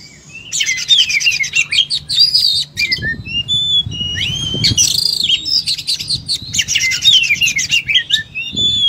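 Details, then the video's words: Oriental magpie-robin pouring out fighting song, a torrent of scratchy trills, whistled glides and harsh squawky notes over several seconds, with faint low rustling beneath. "Kacer full tarung muntah materi"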